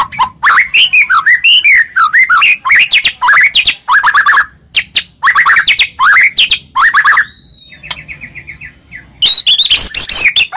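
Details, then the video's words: White-rumped shama lure song meant to make a silent shama agitated: fast, loud, varied phrases of rising and falling whistles mixed with harsh chatter, a brief pure whistle and a quieter stuttering series near the end. "Pancingan Handal Buat Murai Diam Seketika Langsung Emosi"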